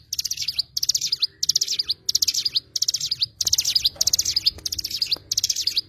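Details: An Oriental white-eye (cigun) pouring out quick, high-pitched twittered bursts, some ending in sharp rising notes, repeated about ninety times a minute with short silences between.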